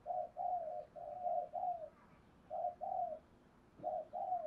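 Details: Spotted dove kept as a lure for wild doves, distant soft coos repeated in short runs of paired notes over steady low background noise.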